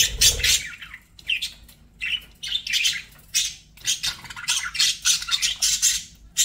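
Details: Chirping budgerigars with scratchy, squawking chatter in short bursts about every half second, high raspy notes alternating with brief pauses; a low thud opens the passage over a quiet background hum.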